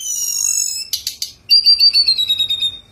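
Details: Sunda robin singing steadily from its perch, with rich fill-in phrases: long high thin whistled tones, then three quick buzzy notes, followed by a bright sustained whistle laced with rapid trilled pulses.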